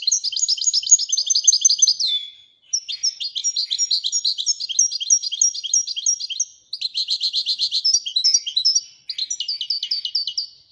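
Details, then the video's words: European goldfinch delivering a long, fast twittering song of tinkling, buzzy high notes in rapid runs, broken by brief pauses, with no other sounds. "Le twitter et chardonneret royalتغريد طائر الحسون الملكي"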